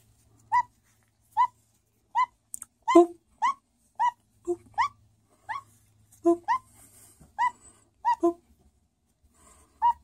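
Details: Pet caique parrot lying on his back, saying "boop": about sixteen short, clipped, hollow notes spaced roughly half a second to a second apart, some with a deeper tone, in a quiet room.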